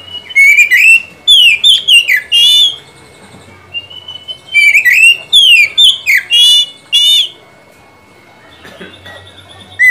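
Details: Lure song of an oriental magpie-robin (kacer), meant to get a silent kacer singing loudly and often: two separate bursts of rich, varied whistles and rapid trilled notes, each about three seconds, split by a quiet gap.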